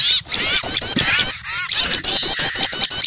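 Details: Small birds mobbing an owl in fright, used to lure wild birds: almost unbroken high, grating chatter made of rapid repeated rasping notes from several birds at once.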